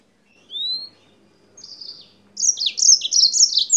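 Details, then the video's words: Rising thin whistle, a softer buzzy note, then a lively run of rapid high chirps sung by a yellow-fronted canary from Spain. "CANÁRIO-DE-MOÇAMBIQUE DIRETO DA ESPANHA CANTANDO MUITO"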